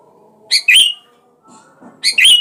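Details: Sooty-headed bulbul lure call to provoke a rival: two bright phrases, each a sharp note followed by a bubbly slurred whistle, separated by soft low chattering over faint steady tones.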